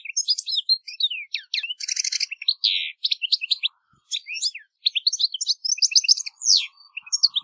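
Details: European goldfinch singing in nature: a fast, tinkling stream of high twittering notes, quick slurred chirps and a few buzzy trills, with a brief pause near the middle before the liquid chattering resumes.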